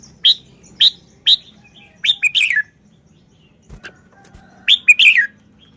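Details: Red-whiskered bulbul, a Thai cage bird, showing its song style: three evenly spaced sharp whistles, a quick slurred phrase, a pause, then the phrase repeated, with a faint low rumble.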